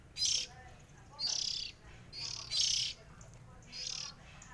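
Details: Oriental magpie-robin from a group of three sibling birds, singing five loud, buzzy high-pitched bursts in under five seconds, irregularly spaced, with faint lower notes in between.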